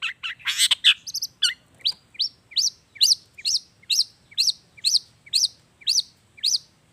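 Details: Energetic long-tailed shrike song with natural mimicked fill-ins, meant to coax quiet shrikes into song: a brief jumble of harsh notes, then a steady string of identical sharp chips, each repeated about every half second.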